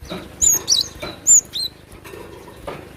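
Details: Java sparrow, excited and singing: a few short, high whistled notes and one sliding downward note, spaced out over soft knocking and clicking sounds.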